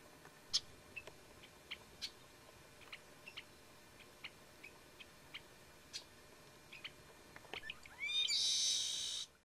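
Yellow-hooded blackbird giving short, sharp chip notes at irregular intervals, about one per half-second, ending in a loud, harsh, buzzy burst.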